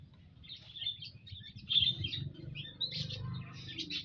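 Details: Flock of munias kept together in an aviary, 19 April 2025, giving overlapping high twittering chirps that grow busier after the first second, over a low rumbling background hum.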